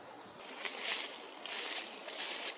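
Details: Common raven (Corvus corax): four nestlings in the nest, 17 April 2023, give harsh, breathy rasps, three hissing bursts about a second apart, high and noisy with no clear tone.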